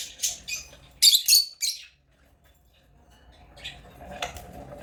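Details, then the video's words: A quick run of shrill lovebird chirps, African lovebirds squawking in rapid succession before falling quiet, then a few faint chirps. "African love birds chirping sound"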